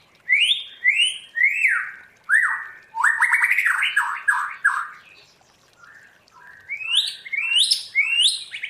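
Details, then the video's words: White-rumped shama, trained wild-style singer, gives a run of repeated falling whistles, a dense chattering passage, then varied rising phrases. "Luyện choè lửa hót theo giọng rừng hay"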